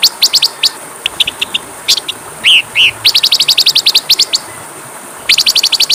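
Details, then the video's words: Oriental magpie-robin song used as a training recording for other birds: bursts of sharp high chirps, then slurred whistled notes near the middle, then a fast run of evenly repeated sharp notes and a final cluster. "MASTERAN KACER PALING DI CARI, masteran Kacer suara burung kecil yang sedang tren di tahun ini"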